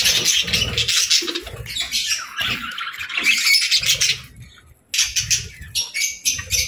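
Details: Parakeets kept as pets, chirping and playing in the evening; dense, grating chatter and squawks come in long bursts, with one brief silent gap and soft knocks and fluttering below.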